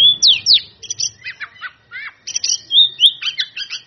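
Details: Oriental magpie-robin singing to provoke rivals, in captivity: swooping whistled slurs, harsh chattering clusters and bright repeated upward flicks, with a soft low rumble at the start.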